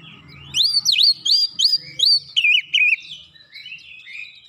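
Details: Oriental magpie-robin song used as a lure to provoke rival birds: a fast series of high, clear whistled notes, sweeping up and down and repeated nearly three times a second, ending in softer trailing whistles.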